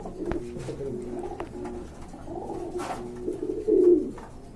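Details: Pigeons offered for sale, recorded indoors in a small room: low, murmuring coos that roll and repeat over a steady background hum, with a few sharp clicks and knocks.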